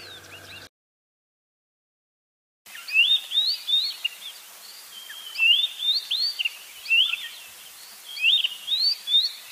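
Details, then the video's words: White-browed scrub robin calling its own variation, a stream of slurred rising whistles repeated steadily after a short silent break, with a soft hiss of background noise. "7 White browed Scrub Robin calls"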